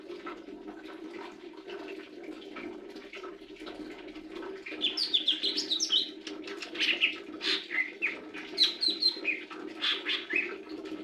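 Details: Lesser green leafbird song: a quiet start, then from about five seconds a lively run of varied sharp chirps, twitters and whistled notes in quick bursts, with a constant low hum beneath.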